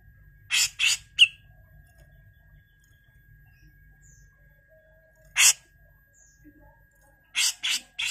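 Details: Rough 'mbeset kasar' calling from a grey-cheeked bulbul, recorded as a tutor for training songbirds. Two quick harsh rasps and a short sharp note are followed by a long quiet gap, one lone rasp, then a final pair of harsh bursts.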